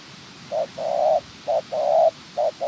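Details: Decoy spotted dove in training for trapping, giving mid-pitched coos that alternate between short clipped notes and longer sustained ones in a steady, even rhythm, with a faint background hiss.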